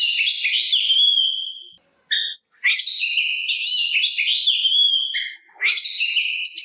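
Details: Oriental magpie-robin (kacer) singing to lure other magpie-robins into calling back: high whistles and scratchy trilled phrases, a pause after the first second, then dense varied notes.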